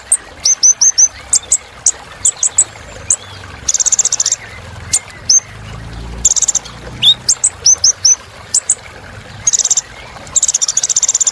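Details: High, thin sunbird chirps of the Kolibri Ninja, given in small clusters, broken by several short, dry buzzy bursts, with steady background hiss throughout.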